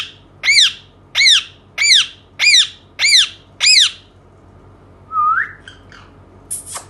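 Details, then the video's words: Indian ringneck parakeet kept as a pet, calling indoors: six harsh arched squawks in a rapid even series about every 0.65 seconds, then a short rising whistle and a few scratchy clicks. "cute parrot talking indian ringneck"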